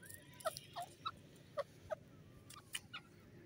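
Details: Female grey francolin (gora teetar) calling: short, clear, mid-pitched notes, some paired with a brief rising upper tone, given roughly twice a second at uneven spacing over a low rumble, with faint high chirps from other birds.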